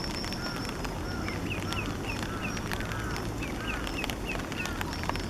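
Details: Eastern spot-billed duck chicks, partly grown, recorded 5 July 2015 on a Canon PowerShot SX50 HS. Short, high, thin peeps repeat in loose series through the recording above a constant low rumble of ambient noise.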